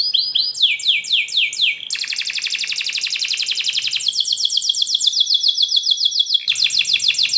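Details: Canary singing long, dense rolls for young canaries learning to sing: slower sweeping notes give way to very rapid, evenly repeated trills that shift pitch several times.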